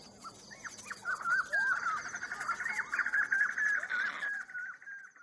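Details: Pet lorikeet indoors in a kitchen, recorded by a housesitter: a run of warbling, looping whistled notes that rise and fall, delivered almost continuously for about three seconds over a faint background hum.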